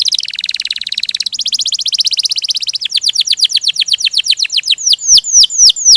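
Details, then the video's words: Canary singing ngerol (rolling) gacor: two fast trills at different pitches, then down-slurred whistles that grow slower and louder, about four each second. "Kenari Ngerol Gacor"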